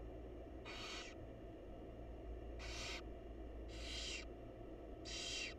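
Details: Wild barn owls at a monitored nest box as the mother feeds her chicks: four harsh, breathy hissing screeches, each about half a second long, spaced irregularly over a steady low hum.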